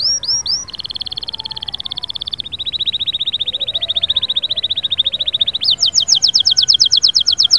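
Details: Canary song for rousing a silent canary: a few arched notes, then long rolling trills that shift in pitch, finishing with a louder, sharper high rattle.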